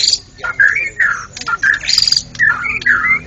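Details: Champion contest white-rumped shama singing continuously: loud, rich whistled phrases that rise and fall, with a brief high buzzy burst in the middle. The bursts are separated by short pauses, and faint voices can be heard nearby.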